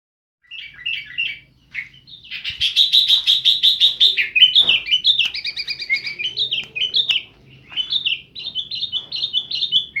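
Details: Kept sooty-headed bulbul (kutilang) from Jember, East Java, Indonesia, singing in the chatty gacor style full of filler phrases: a near-continuous stream of bright, varied chirping phrases with a brief break near the start.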